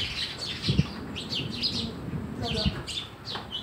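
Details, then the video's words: Sparrows chirping at a house: a busy chorus of short, sharp high chirps overlapping from several birds, with low hum and faint voices beneath. "Every Day is Sparrow Day at our House"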